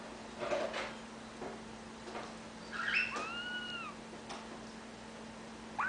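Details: A pet ring-necked parakeet, indoors and calling like an alarm, gives one drawn-out, arching, meow-like call mid-clip, then a brief rising squeak at the end, over a steady indoor hum and soft knocks.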